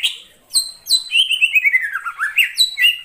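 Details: Greater green leafbird in the wild forest: a few crisp high chips, then a long, smooth whistle gliding downward and rising again, ending in short bright notes.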